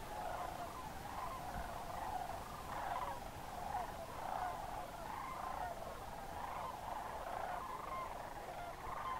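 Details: Massed Sandhill Cranes during October migration at Crex Meadows, Northwest Wisconsin wetland, evening or early morning: overlapping rolling, trumpeting calls from a large distant flock rise and fall in waves every second or so, with a constant low rumble beneath.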